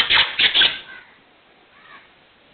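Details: Kala teetar, the black francolin, calling with three loud, sharp, scratchy notes in quick succession, the last two close together, followed by a faint softer note amid quiet background.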